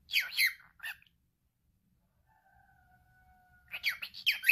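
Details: Male cockatiel kept as a pet mimics speech in short scratchy, chattering phrases at the start and end, with a faint steady two-note tone in the pause between them.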